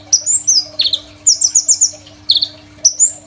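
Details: Crimson sunbird singing hard, a rich fill-in song for tutoring young sunbirds, taken on a phone: high slurred whistles, a rapid rattling trill and falling buzzy notes in quick succession, faint hum underneath.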